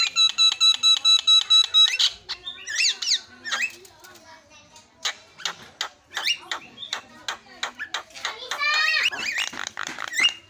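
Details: Javan myna lure song to make silent birds sing fast: opens with a rapid row of harmonic nasal notes, then shifts to chattering clicks, squeaks and short whistled twists in dense irregular phrases.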